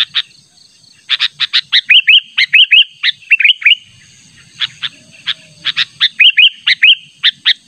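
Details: Sooty-headed bulbul calling hard to summon a rival: quick volleys of sharp chips mixed with short rolling, slurred phrases repeated in bursts, over a faint constant whine.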